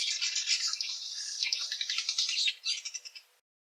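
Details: Cape Weaver, a common garden bird of the Eastern Cape, South Africa, giving a harsh, buzzy, sizzling chatter of rapid high notes for about three seconds, ending in a few separate swizzling bursts.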